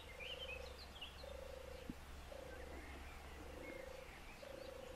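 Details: European turtle dove in Lower Silesia, Poland, where the endangered species has 5 nests and 14 birds on 4 km², giving soft, low purring 'turrr' phrases, about five in five seconds, with thin chirps of other birds and a low rumble behind.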